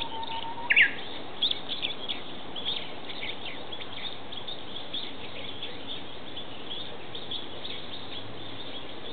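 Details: Japanese bush warbler singing in the woodland of an ecological park: a faint, low, steady whistle ends in a sharp, bright burst near the start, followed by faint, scattered high chirps over a constant background hiss.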